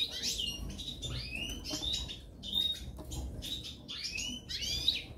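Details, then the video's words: A pair of European goldfinches of the parva form: bright twittering song of quick chirps and liquid notes sliding downward, in bursts roughly every second, with a soft low rumble of background noise. "Couple Chardonneret Parva"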